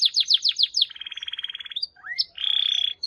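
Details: Canary singing a run of rapid descending chirps, followed by a low buzzy trill, a couple of upslurred notes and a high steady rattling trill.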